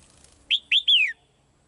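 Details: Female bird in a cage calling to a male with one short phrase of three clear whistles, two brief rising-falling notes and a longer note sliding down at the end.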